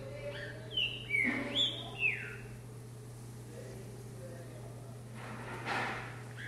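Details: Green-winged saltator working out on a hopping perch: a run of four loud whistled notes, sliding down and up, then a fainter burst later, with a persistent low hum and some noise.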